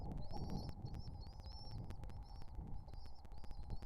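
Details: Pigeon babies begging while being fed give rapid strings of shrill, slightly wavering squeaks, several per second, above a loud low droning hum and frequent sharp ticking sounds.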